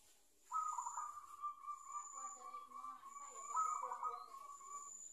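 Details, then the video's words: Zebra dove, a decoy-caught bird learning to coo and now starting to sing often, giving a soft trilled coo that begins abruptly, holds a steady purring tone, then swells again near the end. "SUARA PERKUTUT BELAJAR MANGGUN"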